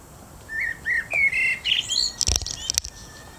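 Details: Evening song of a common blackbird: a run of short, mellow whistled notes climbing step by step, ending in a squeaky, high-pitched twitter, with two sharp clicks near the end.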